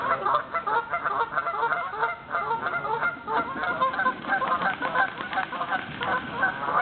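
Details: A flock of Canada geese at ponds feeding a river, some lifting off. A dense, continuous chorus of overlapping nasal honks carries on throughout without a pause.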